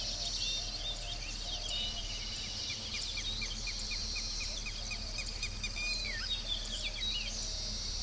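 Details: Baya weavers (Ploceus philippinus) chatter steadily at a nesting colony: quick, high, downslurred chips repeated several times a second, over a constant insect hiss and low rural rumble.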